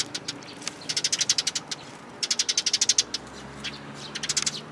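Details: Sparrows, including a newcomer chick, visiting a plum-tree feeder at a Tenmangu shrine in Japan on 21 June 2022, give rapid bursts of high, sharp chirps, about ten per second, in two long runs and a shorter one.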